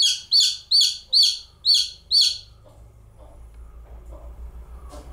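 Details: A single young chicken chick gives five rapid, high, arched chirps about half a second apart, then falls quiet over a low steady background hum.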